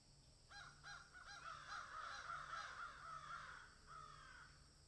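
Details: Crows in a field give a fast run of hoarse, harsh caws, each short and falling, several per second for about three seconds, followed by a drawn-out cawing note.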